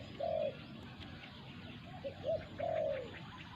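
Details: Wild resident spotted dove confronting a caged decoy during dove trapping. A drawn-out low coo, a pause, two quick short coos, then another long slurred coo. Faint high bird chirps sound behind.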